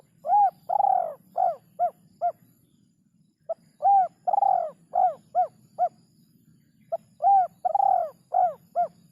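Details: Spotted dove with a rarely heard rhythm: three cooing phrases, each a short note, a longer drawn coo, then three or four quick clipped coos, with a low steady hum throughout.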